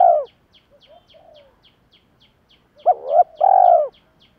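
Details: Spotted dove decoy call, male and female birds, used to excite doves in training: a fading coo, soft low notes over faint regular ticks, then a quick upward note, a wavering hoot and a long deep coo.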